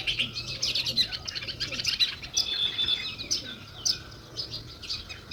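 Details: Softer sparrow chirping: overlapping quick high notes with a few thin whistled tones mixed in.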